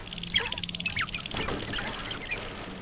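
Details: Male sharp-tailed grouse gathering on a lek at first light on a cold, wet April morning at Arrowwood National Wildlife Refuge, North Dakota, driven by breeding urge; sharp squeaky yelps and short whistled notes over a steady rural background hiss.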